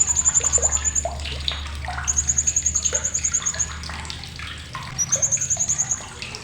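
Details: Blue-crowned hanging parrot, sharp chattering for tutoring songbirds: long strings of thin, high, evenly spaced ticking notes, one lasting over a second, another about a second and a half, a shorter run near five seconds, over low hum and hiss.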